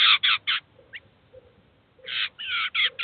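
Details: At a feeder in the city of Kaluga, a Eurasian jay that brought its fledglings to feed and teach them gives harsh, rasping bursts: three quick ones, a pause, then five more in a rough run.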